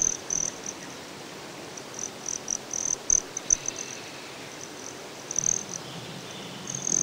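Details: Very high, thin, metallic chips and brief trills from a broad-tailed hummingbird, repeated irregularly every half second or so, recorded outdoors at Great Sand Dunes in Colorado with faint natural hiss behind.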